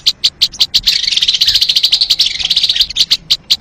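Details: Sogon bird, recorded as a trapping lure: spaced sharp high notes frame a dense central burst of rapid twittering chatter.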